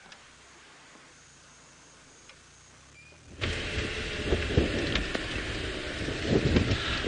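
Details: Low, steady outdoor hiss for a few seconds, then a sudden loud rush of broadband noise with knocks and rattles, like a vehicle moving or a window sliding. No animal voice stands out.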